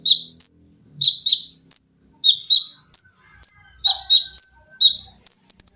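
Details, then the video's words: Olive-backed sunbird song for training cage birds, with piercing high chirps and paired lower notes repeated rapidly, a brief buzzy lower note midway, and a quick stuttering run at the end. "TERAPI KONIN GACOR FULL TEMBAKAN RAPAT!!!MESIN JAHIT,LENGKINGAN DAN BESETAN."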